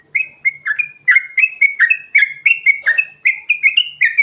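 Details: Loud rolling song of a Sooty-headed bulbul (trucukan garuda), used to make other birds respond: a rapid, continuous string of clear, slightly descending whistled notes, three or four each second, ending with a brief harsh burst.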